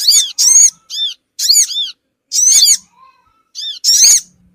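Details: Lure call of the Sogon bird meant to make small birds gather fast: shrill, arching squeaks delivered in clustered bursts, with longer pauses between groups.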